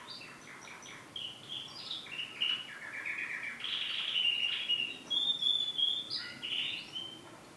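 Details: Canary sings a long varied phrase: rapid repeated chips, then rich rolling trills and high clear whistles swapping pitch every second or so.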